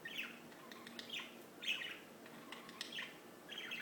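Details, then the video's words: Birds singing in short bright phrases about a second apart. Each burst is a cluster of quick high twittering notes with some sharp chirps between them, over a soft steady background hiss. "Just singing birds"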